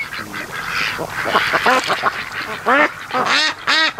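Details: Ducks relaxing at a lake creek mouth on a sunny afternoon, sleeping and mating; soft chatter gives way to loud, clear nasal quacks in quick runs of three or four, each note dropping in pitch.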